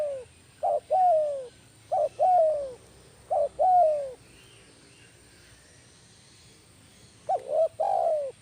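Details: Kuk 1 style lure dove, a spotted dove, repeats its coo phrase four times, each a short upward note followed by a longer descending coo, separated by pauses of about a second or more.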